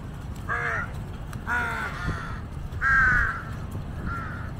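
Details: Harsh, ragged caws from jungle crows in a big flock waiting for scraps while a large water monitor feeds on a dead giant snakehead. Four separate calls, the third loudest, with low steady rumble beneath.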